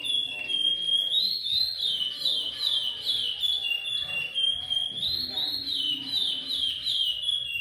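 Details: Chestnut-bellied seed finch (curió) singing in the repetidor Goiano style: a continuous flow of clear, fluty whistled phrases rising and falling, with wavering slurred notes repeated without pause and a faint low hum beneath.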